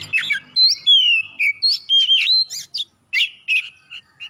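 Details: Oriental magpie-robin song meant to prompt other birds to sing: quick series of clear whistled slurs and buzzy chips in short separate bursts.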